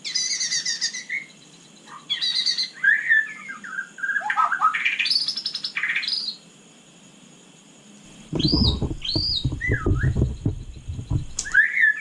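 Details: White-rumped shama (murai batu) singing at night: varied whistled phrases, high sweeps and falling notes with pauses, then from eight seconds looping rising-falling whistles over low thumping and rumbling noise.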